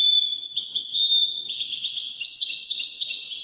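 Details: Continuous Widani-style song of a goldfinch: high sweet whistles shifting into a rapid, unbroken stream of bright twittering and tinkling chirps.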